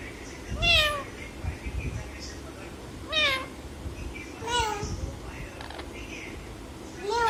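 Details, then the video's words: A pet parrot voicing cat-style meows, four to five wavering mews spread irregularly across the recording, with some soft speech-like sounds and room noise between them. "बिल्ली जैसा मयाऊ म्याऊ बोल राहा हैं तोता"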